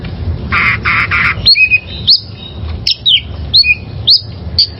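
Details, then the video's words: Oriental magpie-robin from the wild, a tutor recording for caged birds: three rasping buzzy notes, then sharp, upward-sweeping whistles spaced roughly half a second apart, with steady low rumble behind. "Masteran Suara Burung Kacer Liyar"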